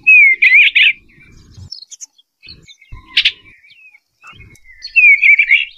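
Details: Eastern bluebird delivering short gurgling warbles, one opening phrase and another closing one, separated by quiet chirps and a sharp note at about three seconds, with soft low bumping noises.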